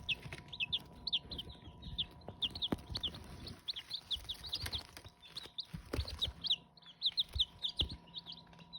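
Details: Loud, dense peeping from Hmong chicken chicks, many shrill repeated notes overlapping continuously, punctuated by thumps and scratchy movement noises.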